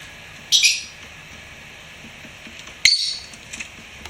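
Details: Pet lovebird giving two short, high, squeaky chirps about two seconds apart, separated by a quiet, faintly hissing pause.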